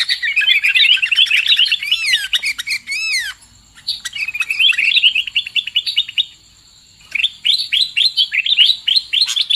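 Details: Lure call of sooty-headed bulbul for trapping: chattering twitter, then a run of repeated arched, swooping notes, a pause, more chatter, another silence and a closing series of clipped repeated chirps.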